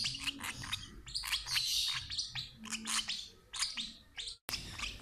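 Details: Shrill lovebird chirping during feeding by an older sibling from the same parents: fast, sharp high notes in irregular bursts, with a short silent break near the end.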